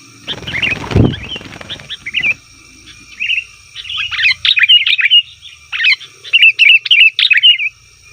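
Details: Sooty-headed bulbul calling noisily, a 'ribut' lure sound for wild bulbuls: a brief thump and rustle early on, then increasingly busy, fast, high chirping phrases repeated several times a second.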